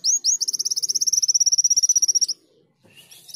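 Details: Greater green leafbird singing actively, imitating a canary: two sharp high notes followed by a long, rapid, even trill of repeated whistled notes lasting about two seconds, then softer chirps.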